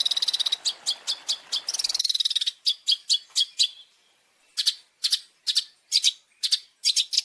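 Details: Long-tailed shrike (cendet) masteran 'isian': quick high ticks and a rattling trill, then a pause before spaced, loud sharp double notes.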